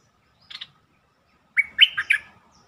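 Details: Bulbul song played as a lure to excite birds: a short buzzy note, a pause, then a quick phrase of clear whistled notes that rise and dip, ending in a buzzy flourish.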